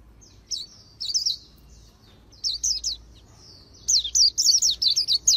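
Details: Rapid 'líu đấu' singing of an Oriental white-eye for voice training: thin introductory whistles build into increasingly dense runs of sharp, high, slurred chirps, ending in a steady string of about eight quick notes.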